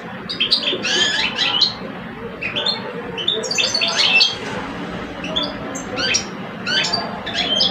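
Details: Two caged male goldfinches, one experienced and one about two years old, in a singing duel: short sharp twittering bursts and whistled notes separated by brief gaps, answering each other, over a soft hum.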